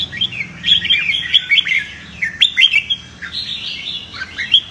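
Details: Red-whiskered bulbul in competitive fighting song, used to train and provoke birds into singing: dense runs of bright, warbling whistled phrases, rising and falling, nearly continuous, with sharp chirps overlapping as if several birds sing together.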